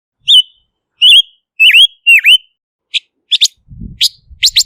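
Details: Silver-eared mesia, known as Ngũ sắc in Vietnam, singing four whistled notes that swoop down then up, followed by a run of sharp chips and a faint low thump.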